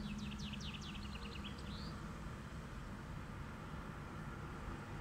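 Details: On 23 June 2020 a common chaffinch sings from a birch in a light summer breeze. It gives one bright, two-second phrase of falling trilled notes ending in a quick flourish, over a steady low traffic rumble.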